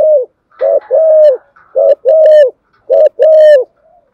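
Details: Decoy spotted dove calling at morning to lure wild doves into fighting it: three evenly spaced coo pairs, a short note then a longer rounded note, clear and loud against a silent background.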